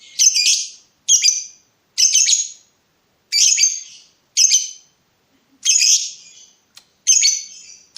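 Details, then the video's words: Lovebird provoking a rival while in breeding mood gives a series of short harsh screeching chirps, roughly one each second, with brief gaps between bursts. "BURUNG LOVEBIRD MENCARI LAWAN || LB MANAPUN PASTI NYAUT BUNYI"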